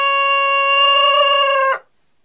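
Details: Denizli rooster crowing: a loud, strongly harmonic note held at a steady, even pitch for nearly two seconds, then cut off abruptly into silence.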